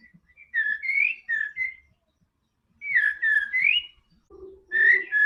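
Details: A White-rumped shama's song to encourage a quiet bird to sing: two well-spaced phrases of smooth whistles rising and falling, then a lower buzzy note before a final whistle.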